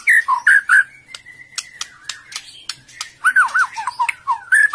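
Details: Female white-rumped shama in breeding condition, feeding its chick, calling to stimulate males; short looping whistled notes at mid pitch, a level held whistle with clicks, then more wavering notes.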